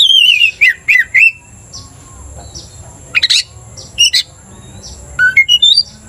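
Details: Caged Oriental magpie-robin, aroused to aggression by a rival singer, opens with a wavering whistled phrase and sharp notes, then gives sparse chips and a short rising series after a quiet gap.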